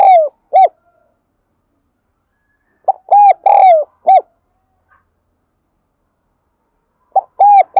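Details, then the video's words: Calling spotted dove, thổ đặc voice, used to draw in wild birds: loud coo phrases about four seconds apart, each with a brief first note, two long cooing notes and a short clipped ending, silence between. "tiếng chim cu gáy đồng son gáy gọi bổi nhanh về cội nhất hiện nay"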